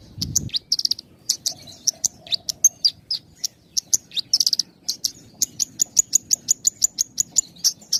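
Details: Javan bush lark song used to train young and half-trained birds, with short gaps: sharp high chirps and brief trills delivered in quick succession, settling into an even run of repeated high notes about three per second, with faint low background hum.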